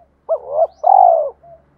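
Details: Spotted dove cooing to provoke a fight: a rising, wavering coo, then a long pulsing coo that slopes gently down, ending with a soft short note over a faint low hum.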